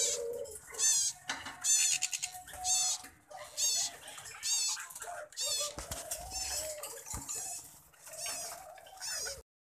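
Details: Caged plum-headed parakeet breeding pair, a bonded couple: repeated shrill, buzzy high calls in quick bursts about once a second, with quieter low tones, wing flutters and faint speech in a small room.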